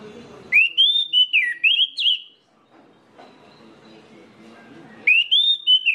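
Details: Orange-headed thrush singing a trigger song for rousing other orange-headed thrushes: loud clear whistled phrases of rising and falling slurs, a pause with faint hum, then the whistled phrase begins again.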